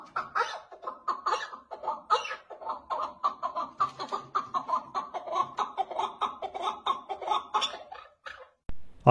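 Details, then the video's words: Partridge calling, played back from a recording and praised for its beautiful voice; a long run of harsh, clucking notes repeated roughly twice a second, rising in intensity midway, ending with a click. "bu kekliğin sesi güzel değil miydi Maşallah çok güzeldi Ben çok beğendim"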